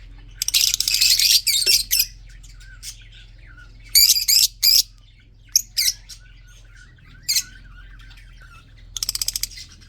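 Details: Captive budgerigars in a breeding colony, red-eyed birds, giving bursts of dense scratchy chatter, clusters of harsh squawks mid-way and a final rapid rattling series.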